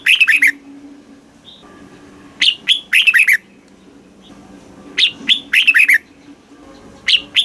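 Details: Red-whiskered bulbul from Thailand, southern master-song style, played to excite caged birds and teach young birds; short bright whistled phrases of four to six quick notes burst out about every two to three seconds, with a faint low hum beneath.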